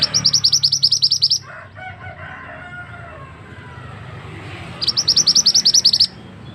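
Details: A male scarlet-headed flowerpecker's ringing call, used to lure birds for trapping in forest: two bursts of rapid, high, clicking chips, with a faint, lower distant call heard in the gap.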